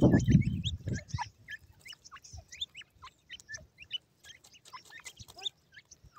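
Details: Grey francolin chicks with white plumage, captive, playing with feed; a loud low thud and rumble opens, then many quick high chirps and peeps from several chicks tumble over one another, softer and sparser toward the end.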